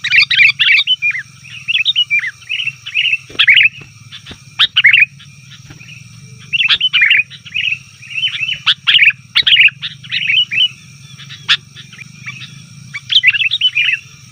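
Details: Lure recording of sooty-headed bulbul noisy calls: repeated bursts of bubbly, jumbled notes separated by short silences over about fourteen seconds, a faint steady hum behind.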